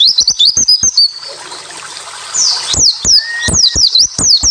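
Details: White-eye (pleci) song recording used as a tutor track to provoke silent white-eyes into singing: dense volleys of high, sweeping chirps rising and falling rapidly, with a short hissy pause in the middle and sharp clicking throughout.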